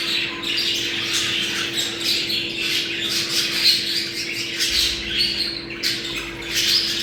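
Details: Budgerigars calling to stimulate breeding: a steady stream of harsh squawks and chirps from several birds, with a few clear whistled notes and a faint low hum.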